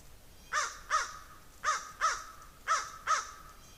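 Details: Crow making noise as a squirrel chases a raven: six loud, rasping caws delivered in three pairs, the two notes of each pair close together, with short quiet gaps between pairs.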